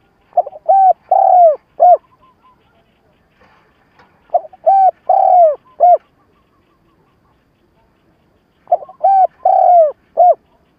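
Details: Decoy spotted dove calling in the stuttering coo style used to lure wild doves quickly. Three bursts of rapid low coos, each ending in a longer falling coo, separated by quiet gaps with faint ticking.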